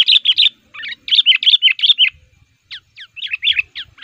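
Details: Sooty-headed bulbul lure bird, described as raging and singing hard to press rivals, for luring wild males; fast strings of rich bubbly notes, a pause, then quick rising chirps and more bubbling.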